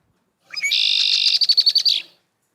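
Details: Mated pair of Red-winged Blackbirds in a pair-bonding duet: the male, on a cattail, gives short opening notes and a buzzy, ringing trill; the female, in reeds near the nest, answers halfway with rapid pulsed chatter.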